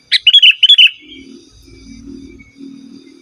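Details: Sooty-headed bulbul singing, free of mimicked fillers, to call rival wild birds and tutor caged birds: a quick string of bubbly, whistled notes lasting under a second, followed by a soft, low droning background.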